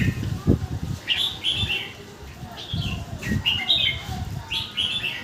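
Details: Red-whiskered bulbul kept in a cage, delivering quickly joined song phrases of sweet, slurred whistles in rapid bursts, with low rumbling and faint voices beneath.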